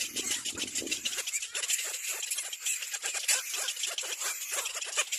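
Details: Nests of little black cormorants during feeding: a steady stream of short, hoarse, hissy squeals repeated several times a second, many young calling together, with a few lower grunting notes at the start.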